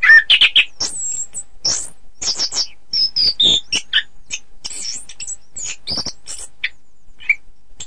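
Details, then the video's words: Orange-headed thrush song (anis kembang), for training birds to win contests: rapid mixed chips, slurred whistles and short trills, many notes per second, tapering into sparse isolated calls. "Suara Kicau Burung Anis Kembang"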